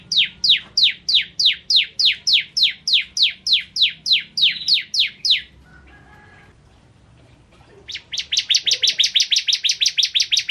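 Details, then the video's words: Bar-winged prinia (ciblek kristal) singing gacor as a masteran bird: a long run of loud, sharply descending chips about three per second, a short pause, then a faster, higher rattling trill. "Burung Masteran Ciblek Kristal Gacor"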